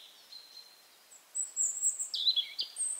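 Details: A European robin sings in late April in the Berezinsky Reserve, Belarus: a thin, high drawn-out note, then a quick tumbling run of sharp, sparkling notes leaping between very high pitches, over a quiet background.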